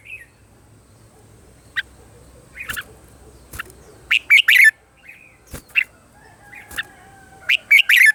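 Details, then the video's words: Red-whiskered bulbul singing in the morning, recorded to train birds' voices: scattered single chirps building into loud tight clusters of three or four bright notes, with a faint steady background tone. "Luyện giọng cho chào mào hót sáng"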